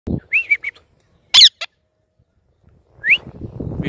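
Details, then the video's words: Green ringneck parakeet perched in a tree, giving short rising chirps and one loud harsh screech, followed by a quick sharp note, a pause, then another upward chirp over low rustling. "Green Ringneck parrot 🦜 sitting on tree 🌳| Amazing natural chripping sound"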